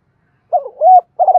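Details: Spotted dove in the Thổ pha đồng voice style, calling and challenging. A brief stretch holds a wavering coo, then a smooth rising-and-falling note, and the start of a pulsed coo that cuts off.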